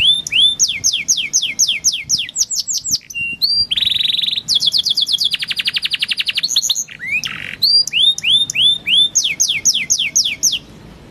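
A canary sings fast, high tours: runs of clear down-slurred whistles, a rapid rattling trill and buzzy notes, each phrase repeated several times before the next.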